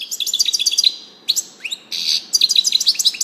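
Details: European goldfinch singing: a fast string of sharp high tweets, a pause, rising and falling slurred notes, a coarse buzzy section, then renewed quick twittering.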